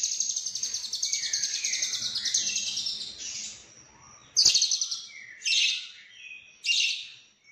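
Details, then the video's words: Lovebird singing a long, rapid rattle of high, scratchy chirps, then short shrill bursts of chatter with pauses between them. "Lovebird Konslet Full Isian"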